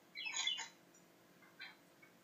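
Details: Australian parakeets in a room opening gifts give a pair of raspy, harmonic squawks in quick succession, then a shorter softer squawk after a one-second pause.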